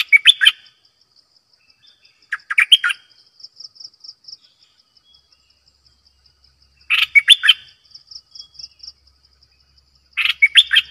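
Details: Bulbul used as a decoy bird, repeating short, chattering warbled phrases four times at irregular intervals. A thin, regular high ticking sounds between the phrases.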